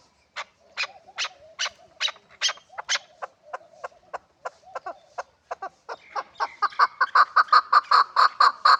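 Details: Hybrid chukar partridge: evenly spaced sharp clucks with soft warbling notes between them, then a crescendo into a loud, fast chuck-chuck series repeated several times a second.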